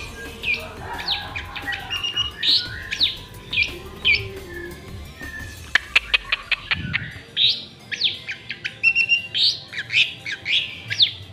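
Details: Long-tailed shrike (Madura type), tame and singing freely out of its cage: bursts of high, scratchy chirps and downslurred whistles, then a run of quick clicks in the middle before the chirping resumes.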